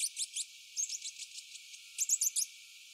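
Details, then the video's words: A rufous-breasted hermit hummingbird (Glaucis hirsutus) calls and sings thin, very high squeaky notes: three quick ones, then a softer run of about seven, then a louder burst of five. "Rufous breasted hermit hummingbird (Glaucis hirsutus) sound - Call and song"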